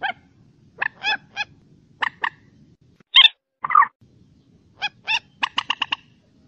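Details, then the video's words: Common moorhen lure calls: scattered harsh clucks, then a shrill squeal and a gruff croak, followed by a rapid stuttering run of five or six nasal notes. Faint background rumble throughout. "moorhen bird shound 2024. ১০০% অরিজিনাল ডুংখোর পাখির ডাক।"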